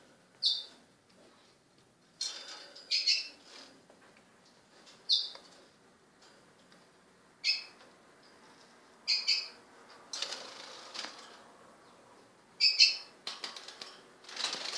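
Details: Two 16-day-old lesser goldfinch chicks begging: short, high, hissy-chirpy bursts repeat every one to two seconds, some in quick doubled clusters, with quiet gaps between them.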